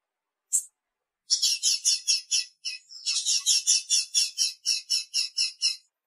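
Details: Female blue-black grassquit calling to excite the male: one high chip, then a long run of rapid, fast-paced scratchy notes with a brief break partway through.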